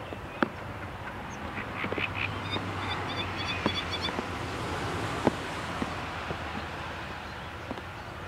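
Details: Singing great reed warbler at Spengen, Netherlands, 27 May 2014, giving a harsh, croaking song of repeated grating notes over a few seconds against steady broadband noise with occasional clicks.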